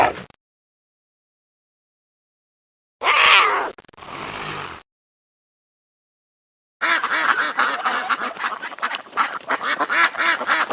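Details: Duck in a sequence of familiar animal sounds: after two brief unrelated bursts, a run of loud, rapid, nasal quacks follows, repeated in quick succession for about four seconds.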